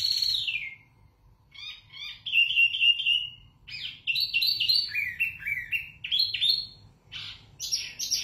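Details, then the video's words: Wambi mini (zebra finch) with loud, clear tutor song: a falling whistle, a pause, then rapid buzzy stacked notes and warbled phrases at about four per second over a faint low hum. "Wambi Mini Gacor Lantang Suara Jernih Untuk Masteran"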